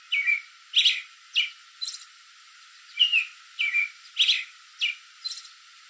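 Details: Late-evening American robin perched in a tree, calling out to other robins nearby: a series of brisk caroling whistles, some slurred downward, others sharper and higher, coming in quick bursts with brief pauses.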